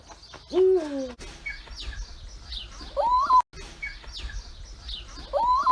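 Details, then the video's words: Eagle-owl calls: one deep, downward-sliding hoot, followed by two higher, rising calls about two and a half seconds apart, over faint high chirping from other birds. "European Eagle OWL calls - hooting"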